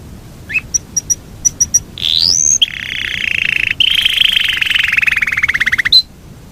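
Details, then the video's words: Yorkshire canary song with short spaced clicks and chirps, a rising whistle, then a long rolling trill that drifts slowly lower before ending in a sharp note. "SUARA BURUNG KENARI YOKSHIRE NGEROL PANJANG"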